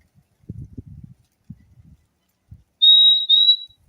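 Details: Low handling rustles and knocks, then a single high clear two-note whistle from a purple-throated euphonia, called fim-fim, near the end.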